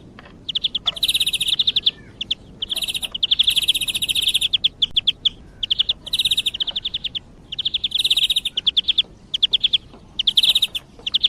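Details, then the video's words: Greenfinch song for use as a hunting lure: long runs of rapid, rattling trilled notes at a steady high pitch, phrases lasting one to two seconds with short pauses, continuing throughout over light background noise. "صوت طائر الخضري للصيد"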